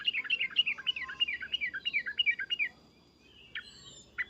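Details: Agitated Sooty-headed bulbul, cuk-cuk and uplik-uplik calls meant to make other bulbuls respond; a rippling series of looping, warbled notes for nearly three seconds, then two isolated short chips over faint background hiss.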